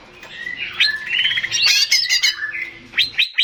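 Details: Male greater green leafbird singing to provoke other birds into answering: a rich jumble of slurred whistles and chattering notes building to a dense burst midway, then three quick sharp notes at the end.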